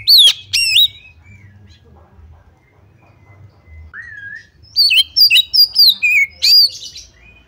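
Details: Female white-rumped shama calling to lure others into singing: two sharp high whistled notes, a quiet pause with one soft lower whistle, then a rapid burst of varied high whistles and trills.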